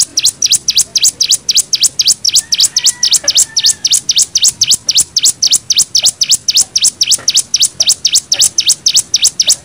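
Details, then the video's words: Hill Prinia in 'nembak' style, a tutor song for young birds: a long, relentless series of loud, high, V-shaped notes that swoop down and back up, repeated about four times a second. "MASTERAN CIGUN NEMBAK 6 VARIASI"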